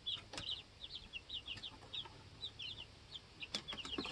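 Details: Two-week-old chicks in a homestead chicken coop keep up rapid high-pitched peeping, short notes in clusters, with several loud clicking knocks near the end.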